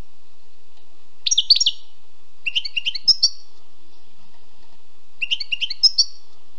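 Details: Wild European goldfinch giving three short bursts of liquid twittered notes separated by pauses of about a second or more, with a faint low hum and a single click in between.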